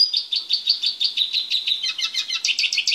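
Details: Male Eurasian siskin caged while being prepared for mating. A fast, steady high twitter pulses about three times a second and grows slightly busier and brighter toward the end.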